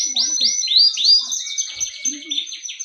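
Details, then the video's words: Canary in full song: rapid high rolling trills, sweeping upward syllables repeated about twice a second, then fast buzzy chatter, with soft low chirps beneath. "ڈنڈا سٹارٹ کنریfull started canary"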